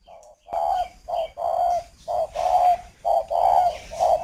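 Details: Caged breeding spotted dove kept as a decoy bird in northern Vietnam, cooing at a female. Low, hollow coo notes come in short grouped phrases of about one per second, with faint human voices between them.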